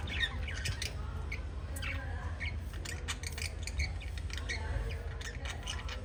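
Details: Group of five pet lovebirds in a parrot family, giving dense bursts of harsh squawky chirps that overlap continuously above a constant low hum.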